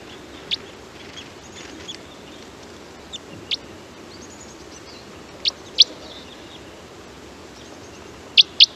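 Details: Type 4 Red Crossbill, a Douglas fir specialist, feeding in a forest patch shared with type 2 crossbills, gives sharp, high, distinctive plinking flight calls, single or in quick pairs, scattered irregularly over a soft background hiss.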